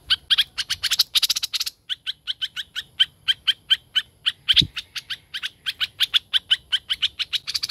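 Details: Laughingthrush singing a chattering warble: a steady stream of rapid, sharp, high notes about four per second, with denser buzzy clusters at the start and one low thump midway.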